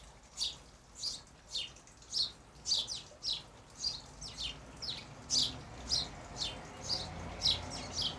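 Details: European goldfinches in an English country garden in June 2020, a colony that nested and reared young near feeders of sunflower hearts; bright, high chirps repeated in quick, steady runs, nearly two a second, over quiet background.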